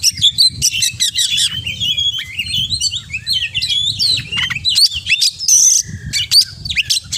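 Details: Oriental magpie-robin singing a mimicry-filled repertoire: rapid chattering trills, sharp descending whistles, scratchy buzzes and upward sweeps tumbling together without pause, soft low background noise throughout.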